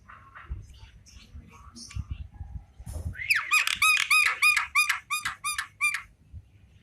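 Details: Afternoon song of a Javan myna: soft scattered chatter, then a fast rhythmic train of about a dozen ringing, down-curving whistled notes, each with a harsh edge, lasting three seconds.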